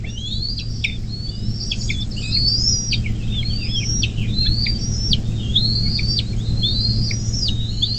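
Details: Nest-cam recording of a bald eagle beside the Little Miami National Wild & Scenic River in southwest Ohio, 24 May 2024, mid-morning. Squeaky piping notes climb and then drop in repeated chattering phrases about every second. A constant low hum runs underneath.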